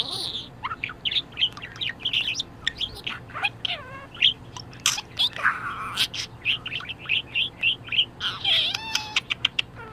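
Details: Budgerigar kept as a pet and in a very good mood, chirping a quick run of short bright tweets, roughly two to three per second, mixed with brief scratchy warbles and a squawky flourish near the end.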